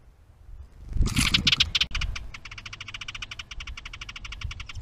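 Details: House wren at a bluebird nest box holding its stick nest, filmed by trail camera on 10 May 2023: a loud burst of scratchy notes, then a fast, even run of dry, buzzy pulses over low background rumble.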